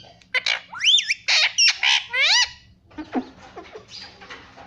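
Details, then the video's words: Pet parrot saying "mummy": a quick run of loud, harsh, high notes and bent, sliding tones in the first half, then quieter scattered chirps and clicks. "pattu parrot talking mummy"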